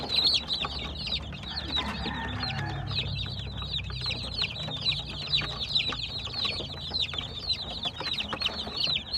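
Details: Crowd of baby chicks chirping nonstop, shrill overlapping peeps that fill the whole stretch, with a brief low hum and background rumble early on.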